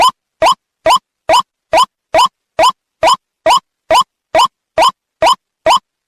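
A White-breasted waterhen gives short, harsh, rising notes, about two per second, in a steady, unbroken series. Clean silence separates the notes, with no other sounds.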